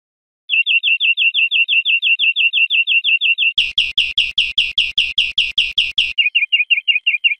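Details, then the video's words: Greenfinch song from a teaching recording for cage birds: a long, even trill of quick notes, a louder harsh section of strident chirps, then a softer trill again. "Canto Verderon cd educador"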